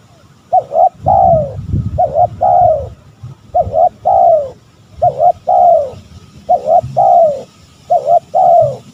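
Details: Spotted dove calling, used to provoke rival males: six evenly spaced phrases, each a rapid doubled note then a long falling coo, repeated about every 1.4 seconds, with low thumping noise early on.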